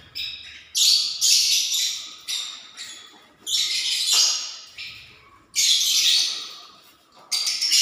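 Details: Lovebirds making a nest ahead of egg laying, indoors; loud, rasping screeches in long broadband bursts of about a second, separated by brief pauses, with high chirps between.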